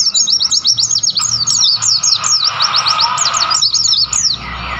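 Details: Lively twittering from wild white-eyes in the Mount Lawu highlands near Tawangmangu: fast overlapping high chirps and slurred notes for over four seconds, then fading into soft hiss.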